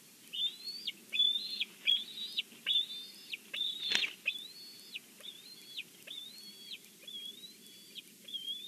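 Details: Bald eagles on their nest at Big Bear, filmed by a live nest camera, giving repeated high, thin whistled notes with a rising, upturned shape, roughly one per second; a sharp knock sounds midway and a soft background hiss persists.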